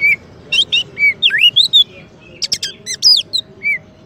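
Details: Champion kacer, the Oriental magpie-robin, sings as a master voice and provocation for white-rumped shamas: varied whistles, swooping slurs and buzzy trills, pausing briefly midway before resuming with rapid chirped notes.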